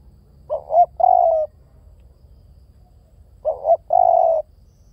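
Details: Low, mellow coos of a spotted dove: two phrases, each beginning with a brief upward-swooping note and ending in a drawn-out even coo, spaced roughly three seconds apart.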